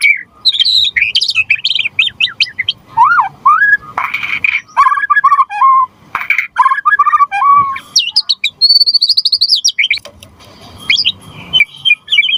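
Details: Loud white-rumped shama in gacor form, played to make other shamas sing: long varied stream of warbled whistles, sliding notes and buzzy phrases, with a sustained high trill near the end.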